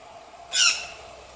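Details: A female white-lined tanager (Tachyphonus rufus) gives a single harsh, high squawk lasting about a quarter second, against a faint steady hiss.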